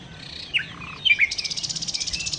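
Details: Nightingale, locally called sikatan londo, in lively song: a few sharp high whistled notes, then a fast, even buzzy trill of rapid repeated pulses that runs to the end.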